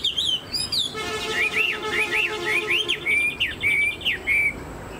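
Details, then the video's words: Caged Chinese hwamei with a fanned tail and tall stance. It sings a rhythmic string of repeated rising-falling whistled notes over a sustained low tonal drone that sounds like music. "Họa mi đuôi xòe, dáng dấp cao cầu"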